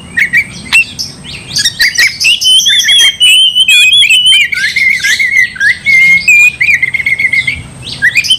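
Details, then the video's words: Loud, restless oriental magpie-robin song used to goad another bird into a fight: dense rapid twittering mixed with clear ringing whistles and trills, nearly continuous for eight seconds over a faint steady high tone. "Kacer gacor bikin kacer ngamuk"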